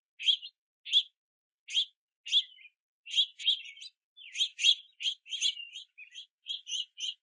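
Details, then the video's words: Young house finches, several of them, chirp and beg to be fed by their parents at a backyard feeder on a rainy day. Spaced high chirps first, then crowding into a faster, overlapping run of calls. "Multiple Young House Finches In The Rain Begging For Food at The Feeder"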